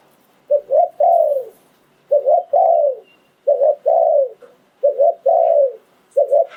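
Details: Thai decoy spotted dove sings in the liu tan style. Five or six phrases follow one another, each a doubled short coo leading into a longer coo that slides down, with quiet gaps between them.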